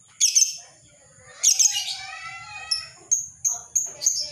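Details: Caged lovebird giving ngekek chatter, offered as a training master and lure for other lovebirds: two loud, high, rasping chattering bursts, then a string of short sharp chips and a thin tone.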